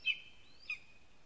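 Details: Lesser spotted eagle at a spruce-tree nest in Latvia, morning of 10 July 2020, as an adult brings a large frog to its chick; two sharp high whistled notes, each trailing into a long thin falling tone.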